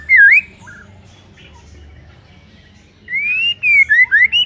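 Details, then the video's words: Morning White-rumped shama song meant to provoke a rival shama: a single swooping whistle, a pause, then a long wavering whistle and several short rising notes, with a low hum behind. "5 DETIK DI PAGI HARI SIAP BIKIN MURAI LAWAN AUTO NARUNG & GACOR SEKETIKA"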